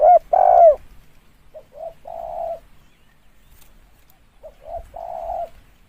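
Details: Spotted dove calling, recorded for use as a lure: a loud drawn coo at the start, then two softer phrases of quick short notes leading into a longer low coo.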